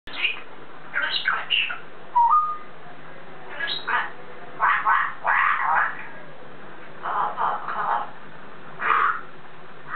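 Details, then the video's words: Pet African grey parrot chatting on top of its cage indoors: short speech-like bursts of mimicked words, one brief clear flat whistle, spaced over several seconds. "The African Grey Parrot. Taking On Top Of His Cage!"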